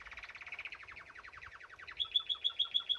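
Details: Canary singing while bathing in a birdbath: a fast trill of short, repeated down-slurred notes for about two seconds, then a louder series of clear, high whistled notes repeated several times a second.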